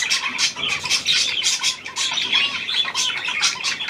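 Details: Australian pied budgerigar, hand-tame and new to its keeper, February 17, 2023; rapid twittering warble of bright chirps and harsh chattering notes, pulsing in loudness without pause.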